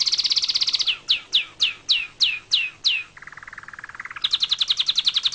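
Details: Atlantic canary song: fast high trill, then slower loud descending whistled notes about every third of a second, a low buzzy rattle, and a closing rapid high trill.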